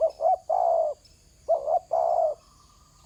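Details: A spotted dove sits on the ground calling: paired quick coos then a long even coo, repeated twice with another starting at the end, backed by a faint steady high insect hum.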